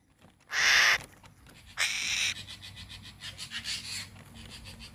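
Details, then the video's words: Rasping calls from a hill myna nestling: two loud, harsh bursts about a second apart, followed by a run of quieter, rapid scratchy notes. "Tiếng chim Con non Hồng Loan. kêu hay"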